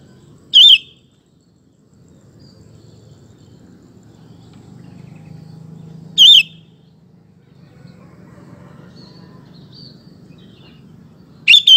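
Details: Sooty-headed bulbul recorded as a lure to make male bulbuls answer in song; three brief bubbly phrases spaced about five seconds apart, separated by quiet low rumbling background.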